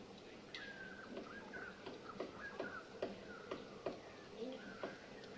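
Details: Male cardinal woodpecker foraging, pecking a branch in a dead Natal fig in KwaZulu-Natal, South Africa: soft, dry taps at an uneven pace, about two a second, with faint tonal calls and low background murmur.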